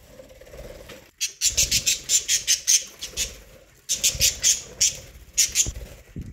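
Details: Budgies feeding on corn make two bursts of rapid, raspy high chirps, each about one and a half seconds long, separated by a short pause and quieter stretches of soft low murmuring.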